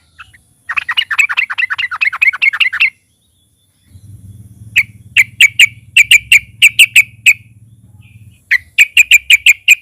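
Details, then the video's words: Trucukan, the Yellow-vented bulbul, in energetic song used as a lure for other birds: a quick chattering run, then a steady low hum, then sharp clipped chirps repeated about twice a second. "trucukan gacor NARUNG DAN NGALAS, Suara KERAS bikin SEMUA burung TROCOK MU GACOR DAN RAJIN BUNYI"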